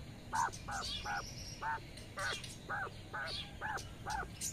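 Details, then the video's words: Quail hen outside in sunshine with her twelve newly released chicks, calling them to follow; a steady run of short, nasal, mid-pitched notes roughly every half second, mixed with faint high piping from the chicks. "Mother quail calling to her cute baby chicks"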